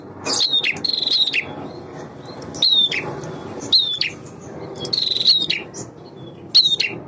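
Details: Male bar-winged prinia in song meant to excite other birds to respond: sharp descending notes and brief buzzy trills in spaced phrases, heard over steady low-pitched background noise.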